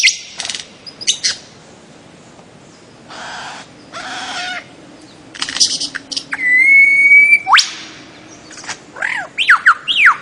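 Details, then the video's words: Bird-of-paradise calling at first softly with scattered clicks and rough notes, then a long level whistle, a sharp upsweep and several looping whistled slurs. "kicau burung cendrawasih"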